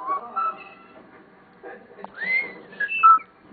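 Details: Pet common starling, talking, singing and biting its owner's fingers, gives a run of clear whistles, including a slurred rising whistle and short tonal notes, mixed with soft clicks and chatter; faint human voice in the background.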